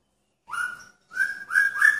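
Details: Courting male magpie-robin kept in a pairing cage with a female: one clear whistled note, a short pause, then three quick rising whistles in succession.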